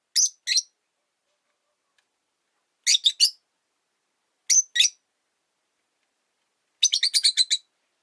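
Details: Pet Rosy-faced Lovebirds, three birds placed in a single cage where the resident white-faced bird resents a yellow-faced newcomer; pairs and triplets of harsh high chirps separated by silence, ending in a rapid rattling series of about eight chirps.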